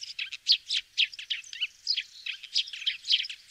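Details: Eurasian tree sparrow from France uttering a steady run of short, high chirps, some rising slightly, spaced unevenly in quick succession, somewhat softer, with no other sounds.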